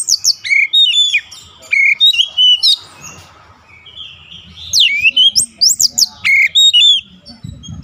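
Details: Oriental magpie-robin in full song, used as a daily drill to make the bird sing a long rolling song. Rapid runs of varied whistles, chirps and downslurred notes pour out in two long dense bursts around a brief lull.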